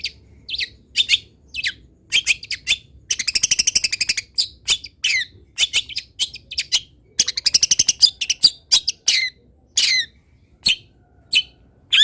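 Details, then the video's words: Long-tailed shrike song used for training other birds: varied chirps and downslurred squeaks broken by fast rattling trills and buzzy bursts, a lively mixed medley. "MASTERAN CENDET ANTI GAGAL - CENDET MANAPUN IKUT BUNYI DENGAR INI"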